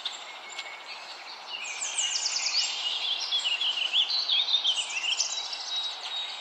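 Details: A yellow warbler sings a bright, high, rapid run of sweet whistled notes with quick slurred phrases, over a steady hiss, in the breeding season in North America, where a mother was feeding her young.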